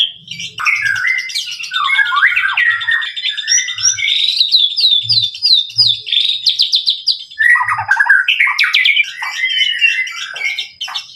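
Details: White-rumped shama (murai batu) pouring out a loud, rich song of varied whistles, rapid trills and sliding notes, shifting between phrases without pause; soft dull knocks sound low beneath the singing.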